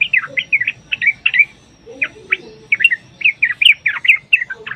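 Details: Yellow-vented bulbul in chatty, long rapid song used as a lure to make other bulbuls sing back. Bursts of bubbly, warbled notes arrive in quick clusters with short pauses between phrases.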